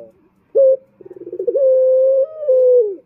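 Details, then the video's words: Male Barbary dove used as a lure call: a short low coo, a quick rolling burr, then a long steady coo that steps up slightly before fading. "Pancingan Puter Jantan"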